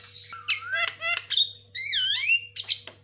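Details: White-rumped shama singing fast for use as a lure and master track: smooth slurred whistles that rise and fall, mixed with short rattling notes and brief sharp chips, over a constant low hum.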